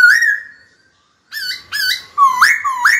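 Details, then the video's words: Caged white-cheeked laughingthrush singing to call a rival to fight: one long clear whistle near the start, then a pause and a run of loud rising whistled notes with upturned ends. "Khiếu hót sắc nét, rõ ràng, kích bổi chuẩn, bổi nhanh mở mỏ đấu thôi!"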